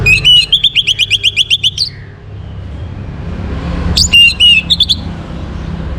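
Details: Orange-headed thrush in a morning recording meant to bring caged birds into breeding condition, singing a fast run of about ten bright whistled notes over two seconds, then a pause and a shorter high burst, with low background hum.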